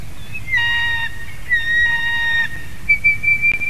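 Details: Female white-tailed eagle at the Durbe nest, Latvia, whining from above at 8:35 PM on 27 April 2021 while a strange male eats her egg; drawn-out whistled tones, level then slightly falling, repeated three times with harmonics, over a low rumbling background.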